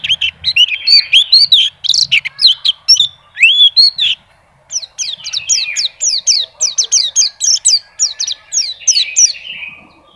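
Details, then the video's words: White-eye song with slurred whistles and rising-falling notes at first, then a dense run of rapid high downward chirps; faint low murmur in the background. "PLECI NGACOR"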